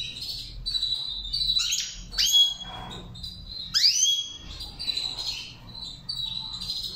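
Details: Goldfinch being trained to sing the Saira song, a rapid jumble of twitters, buzzy slurs and swooping whistles in several bursts over seven seconds; quiet hum in the background.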